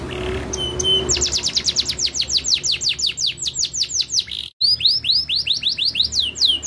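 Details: Canary song: a few metallic ticks and a faint low tone, then a fast run of descending whistled notes, a short silent break, and further rising and falling sweeps.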